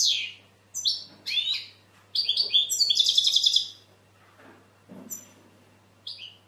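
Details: European goldfinch with scattered high chirps, then a loud rapid run of tinkling, trilled notes. After that come quieter pauses and a few final single twitters.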